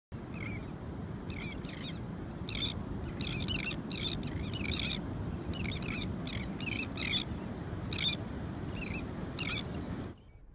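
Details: Many elegant terns at Morro Bay, California, giving harsh, grating, high calls that overlap in a constant chatter, over a steady low rumble of surf or wind.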